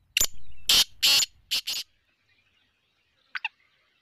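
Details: Black francolin of the Sindhi strain, described as a chakri-type bird: five loud, harsh, grating notes in under two seconds, the middle ones longer and rasping, then silence and a faint double click.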